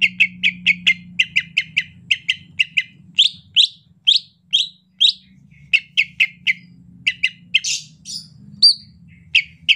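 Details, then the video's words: A greater green leafbird (cucak ijo) gives soft, relaxed chatter in the rainy season: a fast run of sharp chips, about four a second, broken by clearer rising whistles, over a low steady hum. "ocehan lemas cucak ijo"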